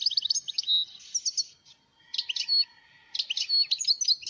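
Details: Wild European goldfinch in Algeria singing rapid bursts of high, tinkling twitters and trills, several phrases separated by short pauses, with a faint low hum beneath.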